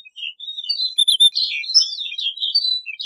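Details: Snow bunting singing a continuous warbled phrase of quick, high twittering notes that slur up and down with little pause, bright and jangling throughout.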